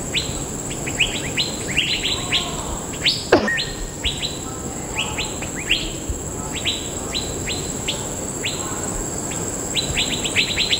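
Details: A large, noisy flock of Asian fairy-bluebirds in a fruiting tree in Bukit Timah Nature Reserve at dusk, shortly before the whole flock suddenly flew off, gives short liquid whistled notes sweeping up and down in quick overlapping bursts over a steady high insect drone.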